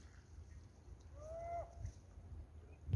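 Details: A gull tearing apart a fish to eat it gives a single drawn-out squealing note, rising slightly then falling off, over a steady low rumble of wind or handling noise.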